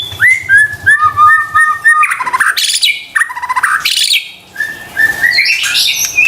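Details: White-rumped shama (murai batu) song used as a lure to get silent or stressed caged shamas singing: varied clear whistles, rising and falling, with chattering bursts and rapid trills, a low rumble underneath early on.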